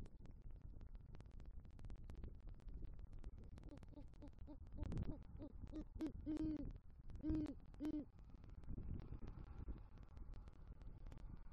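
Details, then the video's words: Southwest Florida nest tree, November night: a male great horned owl with rodent prey calls for the female, giving faint hoots and then three loud, deep hoots about a second apart, with background crackle. "Male GHO Brings Rodent Prey To Nest & Calls For Female"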